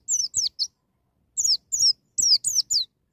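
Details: White-eye in wild style, a young bird being provoked to sing: clusters of high, thin, downward-slurred chirps in quick bursts of two to three notes, separated by short pauses.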